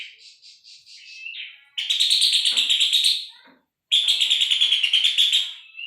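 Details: Puff-throated babbler song for training shrikes and magpie-robins: a soft pulsed series leading into two loud grating rattles of rapid notes, split by a brief silence.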